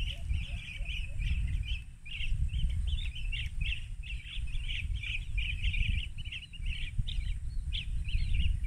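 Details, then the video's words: Rufous-crowned bee-eaters, several birds, give a steady stream of overlapping short, rolling trilled chirps over heavy low wind rumble; Banna, Ilocos Norte, Philippines, March 19, 2021, 14:30, digiscoped recording. "Rufous Crowned Bee-eaters"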